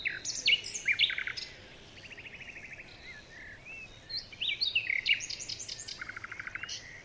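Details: Morning forest birds: loud sharp chirps, then a short even buzzy trill, more chirps and a second buzzy trill near the end, with other thin calls in the background.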